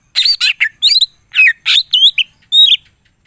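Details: Cucak ijo, the greater green leafbird, singing gacor with full isian fills. Harsh rasping notes mix with bright whistled phrases in a lively, chattering sequence.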